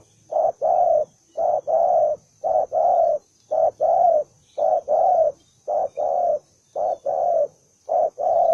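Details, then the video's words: Aggressive, fighting spotted dove (đồng son) cooing loudly and rhythmically, each phrase a short note then a longer low coo, repeated evenly about once per second. "bổi 01 con đồng son hung hăng hiếu chiến như bọ xít"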